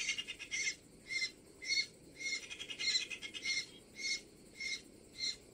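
A great spotted cuckoo gives harsh, rasping notes in a steady series, roughly two each second, over a faint background hiss.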